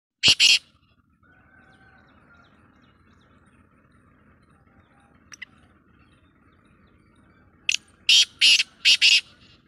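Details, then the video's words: Black francolin (kala or Sindhi teetar), recorded 2-1-2024: one harsh rasping note, a long pause with faint background hum, then a fast grating series of five loud scratchy notes near the end. "kala Teetar Ki Awaz Sindhi Teetar Ki Awaz"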